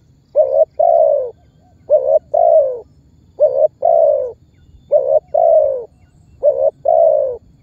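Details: Spotted dove calling and pressing call used as a lure to draw other birds into calling and bring target birds toward trappers: low cooing two-part phrases, a short note then a longer falling coo, repeated about every one and a half seconds.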